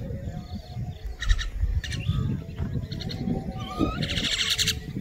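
Common mynas give harsh, chattering bursts and a rising whistle over a few seconds, with a steady low rumble of background noise throughout.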